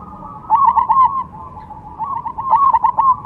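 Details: Perkutut Cemani zebra dove, a caged contest bird, delivering two quick rippling phrases of soft coos, each rapid and trilled, separated by a short quiet gap.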